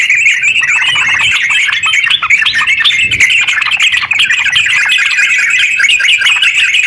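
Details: Sooty-headed bulbul (terucuk) in long, rapid 'ngeropel' song, used to prompt other bulbuls, including silent ones, to sing; dense, unbroken bubbly chattering of fast whistled notes, steady throughout with no pauses.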